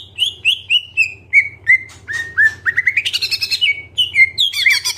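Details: Greater green leafbird (cucak ijo) singing nonstop with fill-in phrases: bright downslurred whistles descending in pitch, then a fast rising chatter of chips and a burst of harsh, complex notes, with a low background hum.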